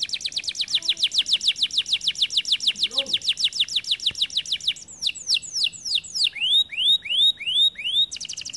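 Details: Kenari gacor canary delivering a long rolling trill of rapid repeated high notes, then switching to crisp slurred whistles and a row of rising arched sweeps before a final short trill.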